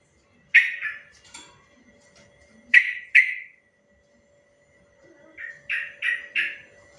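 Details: Sooty-headed bulbul master recording for training or provoking other bulbuls to answer: scattered short bursts of bubbly whistled notes, first a pair, then another pair, then a run of four, separated by silent gaps.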